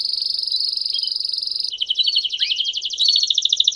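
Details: Male domestic canary singing campainha while the female calls; a smooth sustained high roll changes into a coarser pulsing trill with a brief downward swept note in between.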